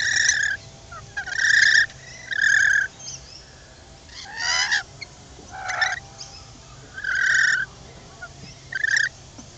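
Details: Lorikeets being hand-fed at a camping ground near Sydney, Australia, several crowding round, two at the feet, give harsh, grating screeches in short bursts about every second, some rasping and slurred, over a low background hum.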